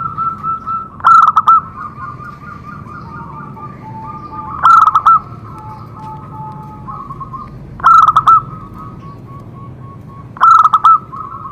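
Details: Zebra dove song played to get other doves singing: rapid, pulsed cooing bursts repeat about every three seconds, with soft steady tones drawn out between them.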